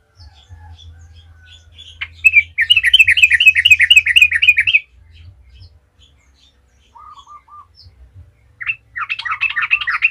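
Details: Trucukan, the yellow-vented bulbul, singing gacor ngalas as a lure to set other birds singing: a quick trill of about a dozen repeated chirps after scattered soft notes, a short low whistled phrase, then renewed busy chattering.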